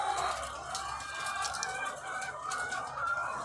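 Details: Farm flock of thousands of laying hens producing a thick, unbroken chorus of clucks and nasal drawn calls, individual voices briefly rising above the mass, with a low steady background hum.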